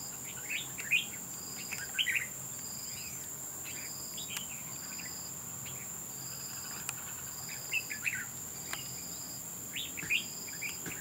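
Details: Red-whiskered bulbul fighting at a bird trap, a wild-caught bird, repeating short scratchy chirps and slurred notes every second or two, with loud steady insect drone and rhythmic insect pulses throughout.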